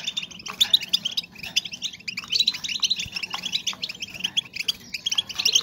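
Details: Female European goldfinches heard in a continuous twittering chorus, meant to raise breeding drive in males; quick liquid chirps and buzzy notes overlap throughout, a little quieter and more spaced at the start.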